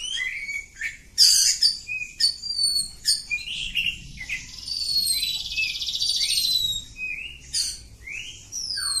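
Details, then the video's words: Continuous ngacor song of a kampung oriental magpie-robin: sharp whistled notes, a loud harsh burst early, then a long buzzy trilled phrase and rising slurred whistles. "Kacer Kampung. Super Ngacor panjang"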